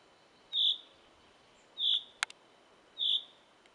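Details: A small bird singing in a forest repeats a single high, pure whistled note roughly every 1.2 seconds, with one sharp click partway through.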